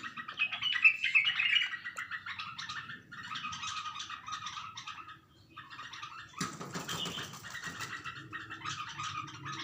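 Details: Bulbul looking at itself in a mirror indoors, uttering bursts of harsh, quick chirps in clusters, a short pause near the middle, then a loud rustling burst like wing flutter before the chirping resumes.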